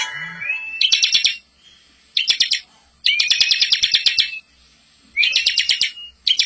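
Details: Bar-winged prinia giving a lively, very active master song in the rolling style, used to lure and train young birds. Rising whistled notes lead into dense, rapid buzzy trill bursts, each about half a second to a second long, separated by brief pauses.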